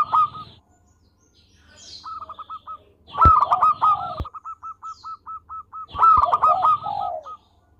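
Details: Local zebra dove singing actively: rapid series of short, clipped notes on one pitch, then louder bursts where notes crowd together with soft descending coos, repeated about three times; faint low hum underneath.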